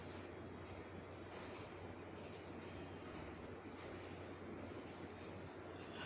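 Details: Quiet, even drone of distant engine or traffic noise with a low hum, and no bird or other animal voice.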